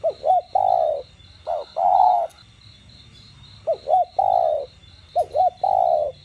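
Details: Spotted dove, known locally as cu gáy or cu đất, cooing in the 'đồng gù + thúc' style to excite captive birds. Four phrases of two or three brief hoots ending in a drawn-out falling coo, backed by a pulsing insect-like hum.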